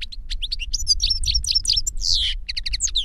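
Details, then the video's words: Goldfinch song from an older bird teaching a younger one: an energetic, nonstop tumble of twittering chirps and slurred notes, one harsh buzzy wheeze, then rapid repeated chips. "Older GOLDFINCH SINGING to Teach Younger Goldfinch"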